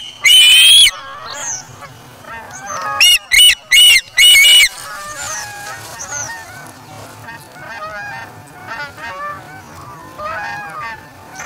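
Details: At the Charlo nest on August 3 2017, an osprey chick that has taken a fish from its parent and feeds itself gives a loud piercing chirp, then four quick shrill whistles, before softer chattering calls trail off.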